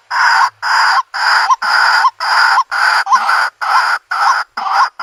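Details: White-breasted waterhen calling, played as a lure for a bird trap in the country: rough, raucous bursts repeated roughly twice per second in an even, pounding rhythm, each note harsh and wide-toned.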